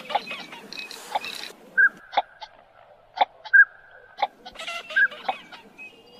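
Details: Eurasian teal: short, clear whistled notes about every second and a half, mixed with brief clicking and rasping sounds and a burst of harsher flock noise at the start.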